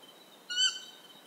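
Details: Stygian owl in Ecuador gives a single short, clear call with a rich harmonic, slightly nasal tone, lasting about a quarter second, over steady high insect trilling.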